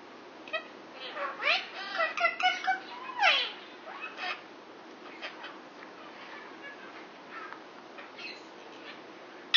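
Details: Six-year-old male Indian ringneck parakeet kept indoors, flirting with a neighbouring female Quaker parrot: a burst of chattering, squeaky upslurred and downslurred notes, then softer scattered chirps fading into quiet room tone.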